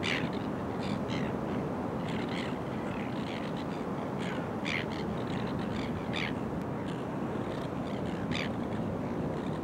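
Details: Greater crested terns courting and pairing up in early September 2020 at Boat Harbour Aquatic Reserve, Kurnell, NSW, Australia: harsh, grating rasps in irregular bursts over a steady rumble of wind or surf.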